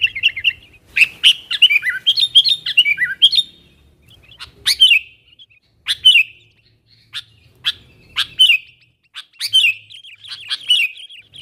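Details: Sooty-headed bulbul calling to wild companions to bring them close: an opening run of bubbly warbles, then spaced sharp chirps and short warbled phrases every second or so, with a light low hum.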